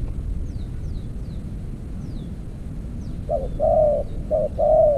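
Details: Spotted dove being lured with a decoy in an earthen trap cage; late in the clip two-part cooing starts, a short low note then a longer wavering coo, repeated twice, after faint thin high chirps from other birds over steady rural background rumble.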